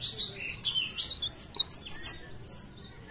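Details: Leaf warbler from Pare Pare singing: softer twittering at first, then a loud rapid series of sharp, high, ringing notes in the second half.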